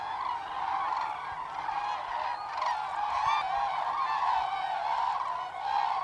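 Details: Common cranes on autumn migration over Hesse, Germany, 25 October 2021, up to 10,000 birds on the Lahn valley route: a steady mass of rolling, bugling calls from many flying birds overlapping without pause.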